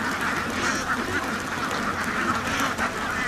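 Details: Farm ducks in a large group, busy overlapping quacks forming a continuous rasping chatter, a few louder calls standing out briefly.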